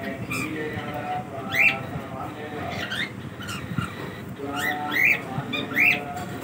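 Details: Pet cockatiels during their daily routine: scattered bright rising chirps and short whistles over steady indoor background noise, with a few louder squawky notes.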